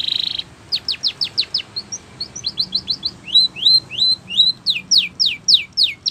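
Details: Spanish Timbrado canary song used for training canaries: a brief buzzy burst, then quick falling whistled sweeps, rising slurred notes repeated in series and fast descending strokes, all high and bright, about three notes per second.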